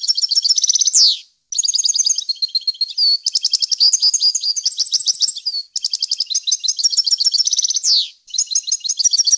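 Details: European goldfinch singing a clean, error-free tutor song with varied wild phrasing for chicks and goldfinch hybrids. Long bursts of fast, metallic twittering are broken three times by descending buzzy slurs and short pauses.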